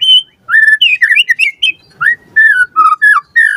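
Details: Captive-bird training lure of a white-rumped shama: clear whistled phrases that rise and fall, with short slurred notes and brief pauses.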